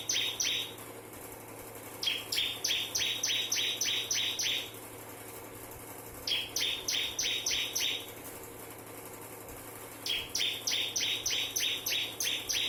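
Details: Crystal-variety bar-winged prinia in nembak style, a unique song: four bursts of seven or eight chip-like double notes, each falling in pitch, given in even rhythm about every four seconds, over a low background drone.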